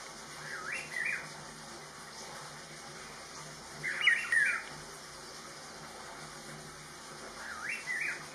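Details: Rufous-throated partridge calling on an Inthanon birding trip: three short whistled phrases, each a quick rising-and-falling slur, spaced about three seconds apart over a steady background hiss.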